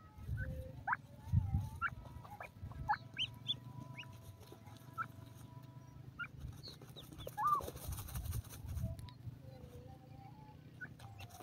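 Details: Grey francolin calling, with a series of sharp rising and falling notes, one louder drawn-out call near the middle, and other scattered chirps over a steady low rumble of background noise.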